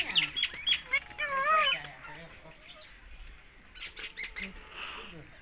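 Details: Pakistani ring-necked parakeet giving a burst of wavering, harmonic chattering calls and short squawks in the first two seconds, with scattered sharp clicks and fluttering noises, then quieter scattered sounds.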